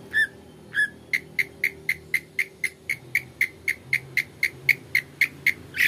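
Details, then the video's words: Long-tailed shrike song used as a lure to set off another shrike: two drawn-out notes, then a fast, steady series of short, sharp 'toet' notes repeated about four times per second. "TOET TOET PANCINGAN CENDET GACOR ISIAN, Gak Butuh Lama cendet Anda akan Nyaut ikut Gacor"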